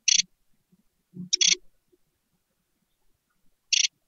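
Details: Great tit nestlings, newly hatched, inside a nest box, hungry and waiting to be fed: three harsh, hissing, raspy bursts, two close together then one after a gap, with soft low thumps of movement in the box between them.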